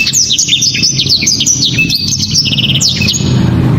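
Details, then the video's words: Black-throated Canary delivering continuous high, rapid song with loud, sharp 'shot' phrases: quick upward and downward whistled slurs, short buzzy trills and chattering runs, over a steady low hum. "BURUNG blacktrod‼️ gila‼️ penuh power full"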